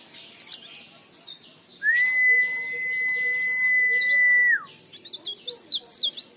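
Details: Leaf warbler singing, used to coax other leaf warblers into song; high twittering phrases broken by a long flat whistled tone of nearly three seconds, then bursts of quick zigzag chirps.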